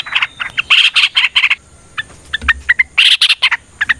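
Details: Yellow-vented bulbul in a long, rapid fighting-style song meant to provoke other bulbuls to answer. Loud bursts of bubbly, chattering notes, a brief pause, then another energetic burst of chirps.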